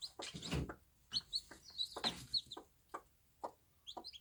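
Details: Small-farm bantam hen with her babies: low, throaty clucks and scratchy sounds alternating with bright, short chick cheeps around the middle and end.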